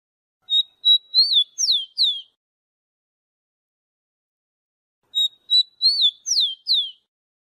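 A rufous-collared sparrow sings twice, each a short phrase of a few clear high whistles ending in quick sweeping slurred notes, separated by a long silence.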